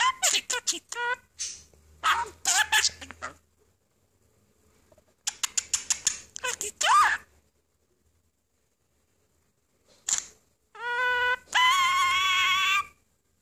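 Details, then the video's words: Pet budgerigar chatting away while perched on a finger indoors: bursts of rapid scratchy, clicking chatter and warbles, separated by pauses, ending with a longer run of harmonic, nasal, voice-like notes. "george talking"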